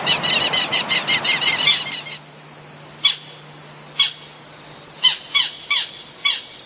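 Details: Southern lapwing, a grey, black and white bird with wing spurs, giving loud shrieking alarm calls when its territory is invaded, guarding nests on Ginebra farms: a rapid burst of about ten harsh, ringing notes, then single sharp cries every second.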